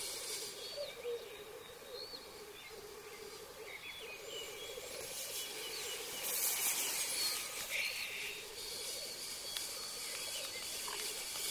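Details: Black grouse on a lek arena, males courting before mating: soft continuous bubbling coo rolls from several birds, faint hisses, and thin calls from other birds.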